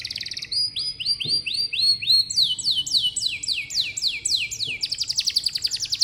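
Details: Canary singing used to coax young canaries: evenly repeated rising-then-falling whistled notes, then longer descending sweeps, ending in a fast buzzy trill, all in a clear high register.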